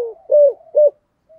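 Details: Two mellow, level coos from a decoy spotted dove in the 'giọng thổ' style, recorded early 2023, followed by a faint trailing note.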